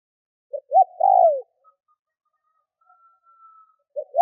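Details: Lure spotted dove cooing to provoke wild doves: two short rising notes, a pause, then a long steady coo sliding downward at its end, with a faint thin tone afterward and the next phrase starting.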